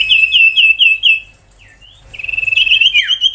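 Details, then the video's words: Ashy tailorbird, 'tembakan' song used as a tutor for magpie-robins and young tailorbirds: rapid wavering chirps, a brief swooping note after a pause, then a fast stuttering trill ending in a falling slur. "Suara tembakan sirtu"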